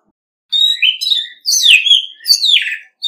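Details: Orange-headed thrush singing competitively: a few loud, sweet whistled phrases, each slurring downward, flowing one into the next with brief breaks, clean recording.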